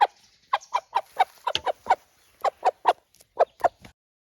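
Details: One of a home-kept flock of Araucana chickens that vary their calls by situation, giving irregular runs of short, throaty clucks with a few uneven pauses.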